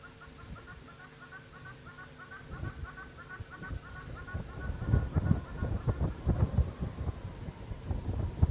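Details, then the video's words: Hornbills at an African waterhole on 11 September 2024 give a fast series of hollow, clucking notes for about four seconds, then a low rumbling engine and wind noise take over. "You can hear some hornbills"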